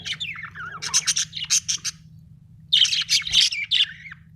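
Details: Happy budgerigar singing: bursts of bright, scratchy high chirps and short rising and falling warbled notes in two phrases separated by a quiet pause, with a faint low hum underneath.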